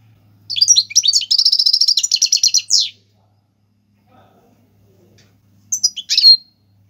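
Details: Goldfinch song, Algerian royal type, in tiwawati galoubi and serfati styles for teaching chicks: a long phrase of rapid twittering that flows into an even, fast buzzy trill and a falling slur, then a brief chirp later.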